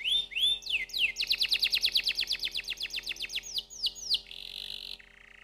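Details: Canary song with a few swooping notes, a rapid rolling trill of repeated falling notes, then slower sweeps and a buzzy held tone that drops lower at the end.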